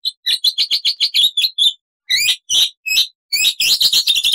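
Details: Black-winged starling gacor song with full variation: a fast series of short chirped notes, then a pause, a few separate rising whistled and harsh phrases, and a final dense run of quick overlapping chirps.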